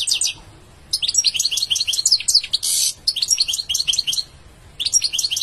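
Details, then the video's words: Goldfinch song in rapid liquid twitters and chirps, delivered in several phrases separated by short pauses, with one harsh buzzy note in the middle; no other sounds stand out. "Beautiful goldfinch singing"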